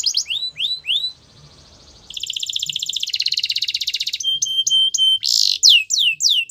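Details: Belgian canary singing to encourage other canaries: rising whistled notes, a soft faint trill, then a loud dense rattling roll, clipped tonal chips, and a final burst with descending sweeps.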